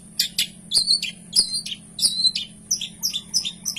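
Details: Vocal cendet, a long-tailed shrike, delivering lavish filler song: clipped high whistles alternating with short buzzy notes, quick varied phrases packed closely together, steady electrical hum beneath.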